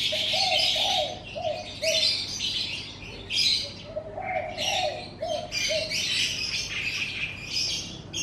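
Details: Several birds singing in the morning in front of a house: dense bursts of high, bright chirping twitters over soft, low cooing phrases repeated in short groups, with a faint steady hum underneath.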